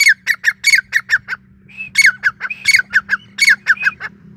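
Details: Grey francolin (Sindhi teetar) giving a loud series of harsh, clipped squawks with bright whistled accents, delivered in fast repeated phrases with a short gap in the middle, low hum beneath.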